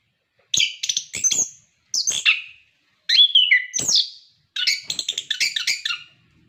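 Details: Orange-headed thrush song, lively and loud, used to prompt captive birds to sing: four varied phrases of sharp chirps, whistled slurs and buzzy notes, each about a second long with short pauses between.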